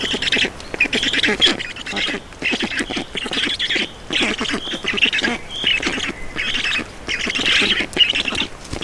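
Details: At a Black Stork nest in Estonia on 4 June 2019 at 18:07, during feeding: repeated scratchy squeals and hisses in bursts of roughly a second, separated by brief lulls.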